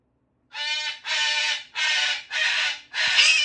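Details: Two pet cockatoos, a Moluccan and a Goffin's, screaming loudly together: harsh, broad, raspy blasts about half a second long, five in a row with short gaps, very loud throughout.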